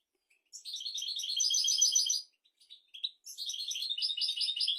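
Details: European goldfinch singing as a teaching recording for goldfinches and canaries: two bursts of rapid, twittering, buzzy trills with bright liquid notes, separated by a short pause with scattered chirps.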